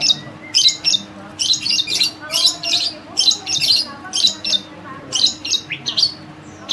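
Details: Long-tailed shrike, a caged bird once tame and very vocal but now singing less: harsh scratchy chattering bursts of high notes about every second, over a faint steady hum.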